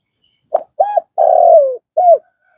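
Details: Close spotted dove coo for training fresh-caught birds: a clipped first note, a two-humped note, a drawn-out buzzy note falling slowly, and a last downcurved note, in a quiet setting.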